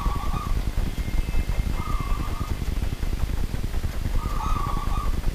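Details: Wild native zebra dove at night giving three short, trilled coo phrases, each about half a second to a second long and spaced a couple of seconds apart, partly masked by steady low-pitched background rumble.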